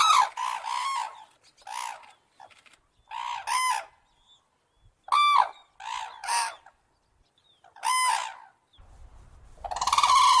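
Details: Crane (Grus) giving a series of loud, rasping, trumpet-like calls, single and paired notes spaced a second or two apart over ten seconds, ending in a noisy rush of sound.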